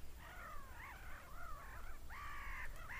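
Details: Seagulls screaming, a few drawn-out wailing calls that slide up then down, followed by a long, strained, level scream near the end, over a low rumbling background.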